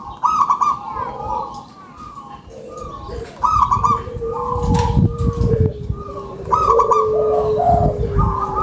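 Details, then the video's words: Local zebra dove in active song, noted for its big voice: repeated high trilled openings dropping to low coos, several phrases in succession, with a steady tone and clatter in the background. "GACOR!!! PERKUTUT LOKAL SUARA BESAR"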